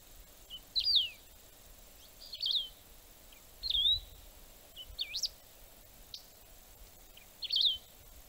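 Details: Wedge-tailed grass finch singing in Brazil, its song used as playback for birdwatching: short, sharp, sweeping high phrases, each under half a second, repeated about every one and a half seconds over a quiet, faintly hissing background.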